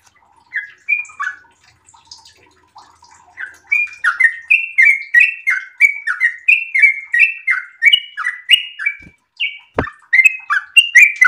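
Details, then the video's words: Breeding-condition sooty-headed bulbul building into a long 'ropel' song: a few faint notes first, then a dense run of bubbly whistled phrases, interrupted once by a sharp knock. "trucukan gacor birahi ropel super panjang"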